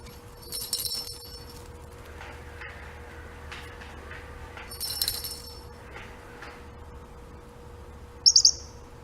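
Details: A pet male parrotlet gives two short, high, buzzy rattling bursts about four seconds apart, mimicking his rattling toy ball, then a quick pair of sharp chirps.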